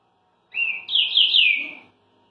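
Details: Green-winged saltator in Rio de Janeiro, Brazil, recently finished moulting and singing in an unusual way: a single clear whistled phrase of about 1.4 seconds that starts steady, jumps higher, then warbles and slides down.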